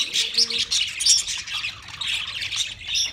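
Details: Chattering budgerigars kept as pets, their song a busy jumble of high squeaky chirps and grating warbles that swells and fades in short bursts.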